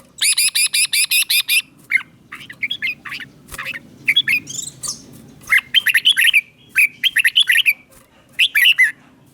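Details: Red-whiskered bulbul in Thailand, a song used to excite caged birds or teach young ones. Opens with a fast, harsh, evenly repeated chattering run, then moves into varied bubbling whistled phrases and chirps with brief pauses.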